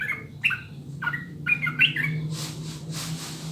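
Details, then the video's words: Sooty-headed bulbul song, played as a tutor recording to get other birds singing quickly: short bubbly whistled notes slurring up and down for about two seconds, then a burst of broad hissing noise over a steady low hum. "SUARA JERNIH PANCINGAN MASTERAN TRUCUKAN UNTUK BURUNG AGAR CEPAT BUNYI DAN GACOR"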